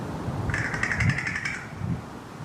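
An American crow gives one dry, rapid rattle of clicks lasting about a second, over a low background rumble.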